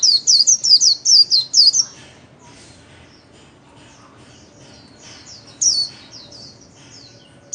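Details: White-eye practising its líu-style solo song: a two-second flurry of high, twisting whistled notes, a long silent gap with low background hum, then a short second burst.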